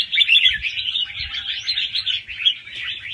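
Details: A young wild red-whiskered bulbul sings quick, tumbling warbled notes in an unbroken run, a fast-round song with doubled phrases played to rouse other birds.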